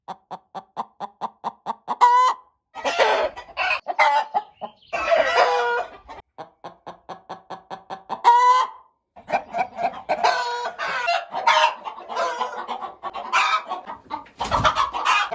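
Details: Roosters and hens: a steady run of rapid clucks is broken by short crows around two and eight seconds, then overlapping, harsher clucking and cackling fills the final seconds.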